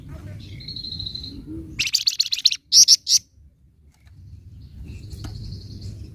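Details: Provoking nyecret chatter of a flamboyan bird: a thin steady high whistle, then a dense buzzy burst and three loud sharp notes, followed by quiet and another faint high whistle.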